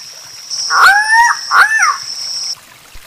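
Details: Guianan cock-of-the-rock, described as singing a lot, giving two loud, nasal, squawking calls, each rising then bending down, about half a second apart, over a steady high electronic whine.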